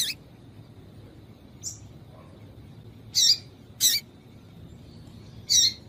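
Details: Female yellow-bellied seedeater calling to stimulate males: a scattering of short, high chirps, with a soft note first, then three louder buzzy chips in the last few seconds.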